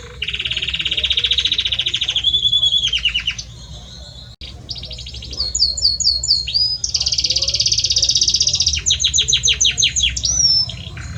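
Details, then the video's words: Male Belgian canary singing for the female, a long varied song of dense buzzy trills, sustained whistles and bursts of rapid slurred notes, nearly continuous. "Canta muito este Canário Belga para sua Fêmea - Canary Singing"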